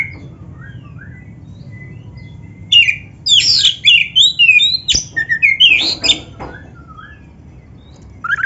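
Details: Black-breasted kacer, or Oriental magpie-robin, in a recording used to stimulate caged birds. A soft whistle opens, then about three and a half seconds of loud, jumbled song: bright whistles, downslurs and harsh buzzy notes in quick succession.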